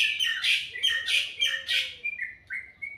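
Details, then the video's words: Morning bird song opening with three loud rasping chirps in quick succession, then trailing into a few thin, short whistled notes. "Suara burung dipagi hari sangat merdu"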